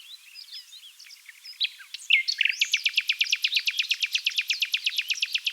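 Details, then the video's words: Common Nightingale singing at close range in a dune valley near Oostkapelle, the Netherlands: a few scattered varied chirps and whistles, then a loud, rapid run of sharp repeated notes, about five each second, clean and high-pitched. "Gorgeous nightingale song choir (Luscinia megarhynchos)"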